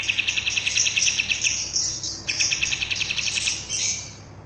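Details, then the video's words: Kapas tembak bulbul in energetic tutoring song for caged birds, pouring out rapid, high-pitched chattering trills, about three or four notes per second, with a brief pause before another bright, busy burst. "Burung Kapas tembak gacor buat masteran"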